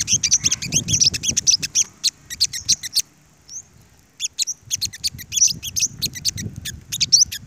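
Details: Flock of olive-backed sunbirds confronting dominant leader males: rapid, dense bursts of high, sharp chirps and twitters, a pause near the middle, then another run of quick chirps with one thin upslurred note.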